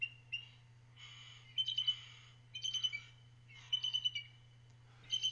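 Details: Crows call near a bald eagle nest at White Rock, south of Vancouver, where a baby crow sits in the nest. They may be the parents. Harsh, hoarse calls come in short bursts, about one a second, over a steady low electrical hum.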